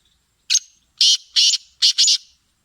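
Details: Singing black francolin, called kala teetar: a short harsh note followed by four strident, rasping bursts, the final pair nearly joined, the whole phrase lasting under two seconds in quiet surroundings.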